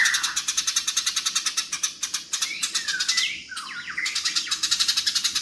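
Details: Rapid pulsed chatter from fighting house sparrows, about three to four harsh ticks a second. Curving, sliding chirps rise and fall through the middle and then give way to more rattling.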